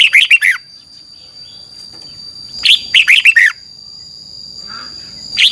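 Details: {'text': "Red-whiskered bulbul, Thailand, singing the 'phleng boen' double song meant for teaching birds to count phrases: two rapid bursts of five or six bubbly, falling notes, then the start of a third, with a constant high hum."}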